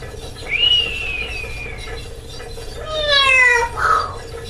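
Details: Caged female Amazon parrot, chatty under her night cover, gives an arched whistle that rises then slides down, followed by a harsher harmonic, descending bomb-drop sound ending in a short squawk; steady low hum behind.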